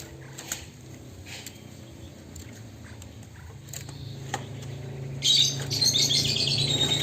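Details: Tame caged Chinese hwamei that is often bathing in its cage in the morning and evening; after quiet clicks and a steady low hum, a loud, harsh, rapid chattering run of high notes bursts out in the final two seconds.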